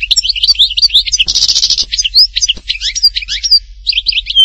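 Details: Goldfinch at Htatba, Tipaza, singing quick chirping twitters, then a buzzy trill of about half a second, followed by a string of sharp rising and falling chirps and a thin whistle.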